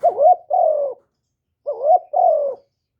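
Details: Decoy spotted dove calling to lure wild doves in '1 hậu' style: two phrases, each a wavering rising coo followed by a longer flat falling coo, separated by a short pause.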